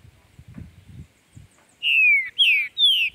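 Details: Green-winged saltator (Saltator similis) singing in the woods during tournament and breeding season: three loud, clear whistled phrases sliding downward, each about half a second long, after soft low thumps and rustling.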